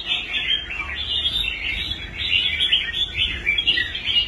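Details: Red-whiskered bulbul, a caged competition bird restored after abandoning contests and now singing well on the rack; continuous fast, bright warbling with wavering, looping phrases throughout.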